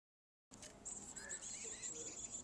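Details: Black-capped chickadee chicks in a birdhouse attached to a garage, at least two, being fed by both parents; a steady high hissing chatter near the top of the range with faint short chirps below it.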